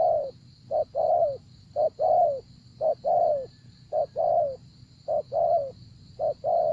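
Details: Spotted dove used as a lure in trapping, cooing rhythmically: six pairs of a short note plus a longer, slightly falling coo, roughly one pair per second, over a constant high-pitched hiss.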